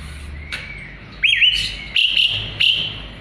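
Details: A vocal jalak suren, the Asian pied starling used as a song model for murai batu, starts with a faint thin whistle, then three loud grating, buzzy phrases in quick succession.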